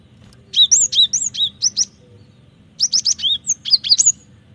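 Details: Lively gelatik batu, the Cinereous tit, in a training-lure recording: two bursts of rapid, high, sweeping whistled notes, about seven or eight in each, separated by a short pause, with a soft low background hum.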